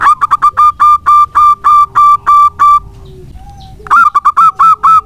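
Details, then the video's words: Local zebra dove singing strongly as a lure for other birds: a stuttering start breaks into a steady run of evenly spaced coos, then a short silence and another quick run of notes. "Perkutut lokal gacor untuk pancingan sangat bagus."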